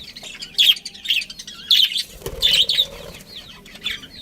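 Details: Budgerigar colony with a breeding pair chattering: bursts of high warbled chirps at regular short gaps, overlapping calls from several birds, and a flutter of wings midway.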